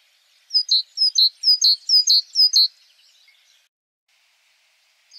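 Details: Simple, short Great Tit song variant: five clear two-note phrases, a higher slurred note dropping onto a lower one, repeated evenly for about two seconds, then quiet.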